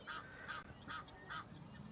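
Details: Egyptian geese on the Leeuwenbosch flats in the African bush, on the morning of 31 August 2025 near resting cheetahs, give four harsh, nasal honks in quick succession, two or three a second, over a low background rumble.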